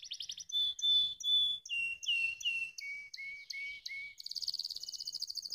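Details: Canary song made of rapid repeated syllable series: a fast buzzy trill, then clear whistled notes stepping down in pitch, ending in a dense high rattling trill.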